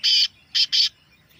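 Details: Black francolin, a recording meant to stir a kept bird into calling: three harsh rasping notes. One longer grating note is followed after a pause by two quick buzzy notes close together, with near silence behind.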